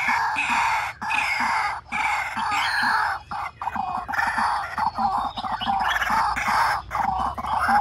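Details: White-breasted waterhen call played to draw birds into traps: loud, harsh, overlapping calling in long bursts broken by brief pauses, with a steady rhythmic undertone of low pulses.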